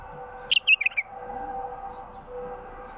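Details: Wild bulbul song meant to attract other wild bulbuls: a single rapid phrase of four bright, slurred notes dropping slightly in pitch, followed by quiet hum and hiss.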